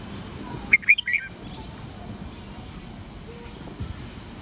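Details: Red-whiskered bulbul singing in the morning in the 'old forest voice' 8-9-10-note style, for training young birds. A short, clipped phrase of three or four loud chirpy whistles, then steady low background hum.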